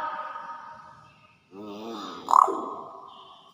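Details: Pet common hill myna imitating human laughter when asked to laugh by its owner: a low, throaty, pulsed chuckling burst rising to a loud harsh peak, then fading, after a brief quiet gap.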